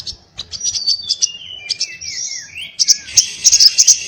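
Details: Sogon, the little spiderhunter, singing: spaced high notes lead into long gliding whistles that dip and rise, then a burst of fast, high chattering.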